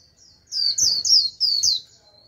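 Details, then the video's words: Japanese white-eye used as a decoy to call in wild birds, giving a short burst of four loud, high, slurred twittering phrases in quick succession in the líu style. "Vành khuyên mồi gọi bổi cực tốt, bổi đến cả đàn, bật líu theo."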